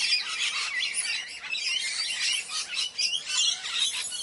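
A macaw gives harsh, raspy, high-pitched chattering calls in a steady stream of overlapping bursts, with no other clear sounds.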